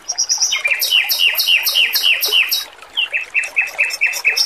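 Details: Lively song of a male robin, recorded for training: high buzzy notes drop into repeated bright downslurred chirps about four per second, then a second slower run. Faint water trickles behind.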